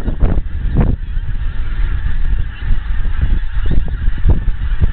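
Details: Numerous wild geese in Scotland coming nearer from a distance; separate loud honks stand out at irregular intervals within a softer murmur of the flock, over deep rumbling noise.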